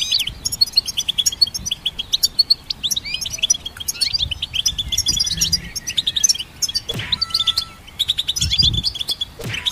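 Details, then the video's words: Goldfinches twitter in a dense, tinkling stream of high chirps and trills with no pause, broken twice by brief rustling bursts. "Goldfinch Symphony"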